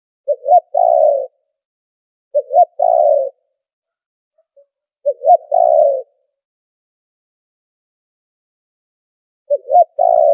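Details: Filtered spotted dove lure call for trapping: four three-part coo phrases, three close together about every two and a half seconds, then a longer gap. Each phrase is a short note, a rising note and a long buzzy ending.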